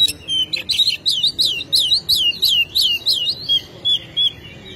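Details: Oriental magpie-robin (kacer) in vigorous song, used as a lure to make other kacer sing: a rapid run of about a dozen loud, high, down-slurred whistled notes, roughly three per second, ending in a few softer notes.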